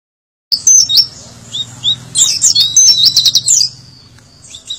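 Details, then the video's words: Oriental white-eye singing in the tembakan style: rapid bursts of high, sharp chirps and quick whistled slurs packed into dense runs, pausing briefly between flurries, over a steady low hum. "PLECI TEMBAKAN ADUHAI"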